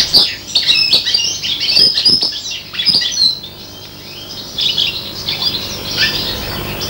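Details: Serin crossed with bronze canary, five months old, imitating goldfinch song: a loud burst of high twitters for about three seconds, then quieter, thinner chirping to the end.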